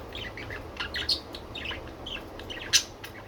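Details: Pet budgies giving soft scratchy chatter broken by a couple of sharp, bright squeaks, the loudest a single piercing chirp near the end, over low background hum.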